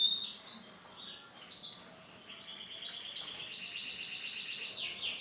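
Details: Male silver canary singing somewhat softer, with high whistled slurs, a long buzzy trill in the middle and sweeping notes near the end, over light background noise.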